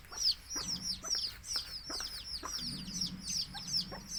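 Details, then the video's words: Baby country chicks, with a mother hen calling her chicks to eat, give loud repeated downward-slurred peeps, over two per second, above a low soft clucking murmur from the hen. "Cute Baby Chicks Chirping Sounds"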